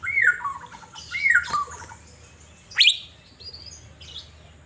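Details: Asian fairy-bluebird kept in a cage and sunned outdoors in Banjarmasin. Two liquid whistles slide downward, then one sharp, high rising note, with softer high twitters after it.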